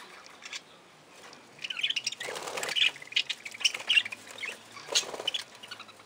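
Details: Budgerigars in an aviary: a few quiet chirps, then a dense stretch of rapid chattering calls mixed with wing flutter, fading back to scattered notes.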